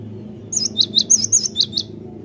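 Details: Cinereous tit singing actively (gacor): a rapid run of about nine bright, high, repeated two-part notes lasting under two seconds, over a steady low hum.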